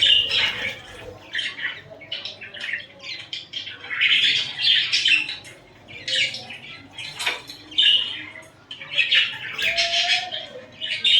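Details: Pet budgerigars cuddling and fighting, giving a busy stream of scratchy, buzzy chirps and warbles in short irregular bursts, with faint wing flutters and a quiet room behind.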